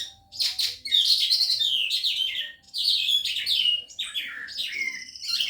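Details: A calandra lark that arrived only this morning and already sings day and night gives a rich, fast jumble of scratchy chirps, buzzy notes and quick descending trills, mostly high-pitched, in bursts with brief pauses.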